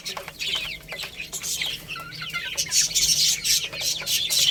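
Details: Several young chicks feeding on rice give quick, descending peeps several times a second, over steady sharp pecking and rustling clicks.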